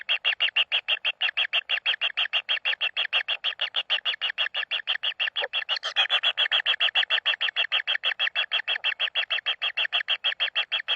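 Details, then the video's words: Common kingfisher chicks in the nest being fed, giving a rapid steady stream of harsh, buzzy rasping notes, about three per second, unbroken and even in loudness throughout eleven seconds, in an enclosed echoing space. "kingfisher babies"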